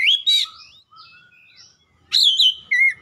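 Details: Oriental magpie-robin singing: loud, rapid whistled and buzzy phrases sweeping up and down, a quieter stretch of thin notes, then another strong burst of warbled whistles.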